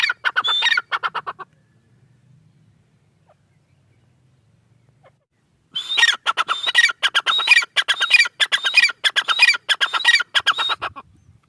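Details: Female grey francolin calling in two bursts of rapid harsh notes with thin whistled strands near the top, separated by several seconds of quiet with a low murmur.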